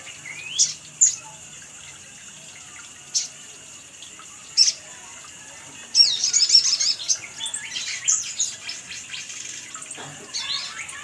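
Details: Sunbird calling in a lure recording: scattered single high chirps, then a dense run of thin, rapid twittering notes lasting several seconds before it tapers off, over a faint hiss.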